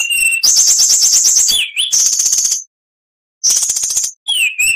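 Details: Rapid high rattling trills from an oriental magpie-robin, each burst ending in a sliding whistle, with a pause of nearly a second before another trill and a falling slur.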